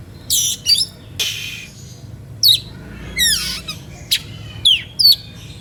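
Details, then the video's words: Oriental magpie-robin singing an emotional, lively song that draws rival magpie-robins to join in; loud harsh rasping bursts mixed with steep downslurred whistles, phrases coming roughly every half second to second, clear and dominant. "SUITAN KACER NGEPLAY EMOSI MEMANCING LAWAN IKUTAN BUNYI"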